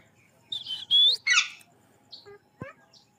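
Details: Parrot in the forest giving two loud, harsh, buzzy squawks in quick succession, then a rough screech, followed by a few fainter short chirps and a brief downward note in an otherwise quiet setting.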